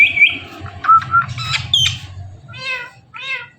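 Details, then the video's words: Talking pet parrot indoors saying "Mithu": a high whistled note opens, then short nasal harmonic syllables and squawky word-like calls, ending with two buzzy stacked calls about half a second apart over a low background hum. "Talking Parrot Saying Mithu"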